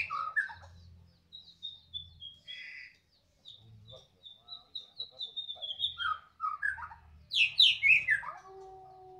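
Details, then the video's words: Captive White-rumped shama from Medan with a loud song: scattered whistles and chips, then a long descending series of thin high notes, ending in rapid steep sweeping phrases and a steady tone; faint low hum. "mb medan gacoran volume kencang"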